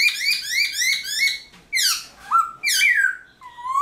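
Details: Dawn song of a caged Black-throated laughingthrush in 'forest voice' style, played to spur new birds to sing. Quick rolling run of repeated bright notes, then loud descending swoops ending in a low rising whistle.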